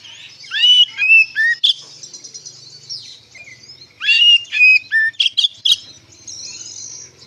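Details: White-rumped shama (kacer) 'ngeplong' song used as a lure for answering shamas; two groups of loud whistled, sliding phrases with sharp chips, separated by softer chatter and a quiet low hum.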